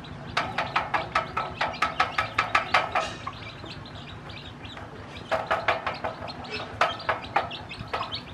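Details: A hen with many chicks she hatched, teaching them to eat, gives rapid runs of short clucking pulses, about five a second, in two bursts. Faint chick peeps sound between them.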